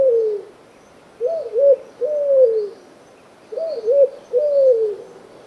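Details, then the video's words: Streptopelia dove cooing: soft low coos around mid pitch in repeated three-note phrases, a short note, another, then a longer falling note, the phrase heard twice about two and a half seconds apart, with quiet background. "Sounds of Streptopelia"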